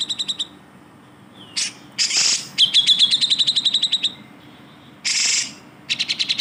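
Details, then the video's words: Grey-cheeked bulbul training recording for songbirds: short bursts of fast clipped notes alternating with harsh rasping outbursts and quiet gaps. "masteran suara burung cucak jenggot"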